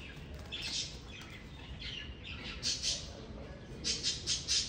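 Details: Australian magpie (Gymnorhina tibicen hypoleuca) at Zoo Berlin gives harsh, scratchy squawks in short bursts, several in quick pairs toward the end, over a low background rumble.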